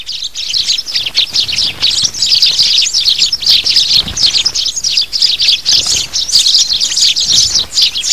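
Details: Sparrow calls played to lure birds for trapping: bursts of sharp, high chirps in quick clusters, rising and falling in loudness through the recording.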